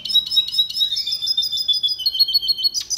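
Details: Fast, sustained red siskin song for training: rhythmic high chips over a steady whistled tone, ending in a short burst.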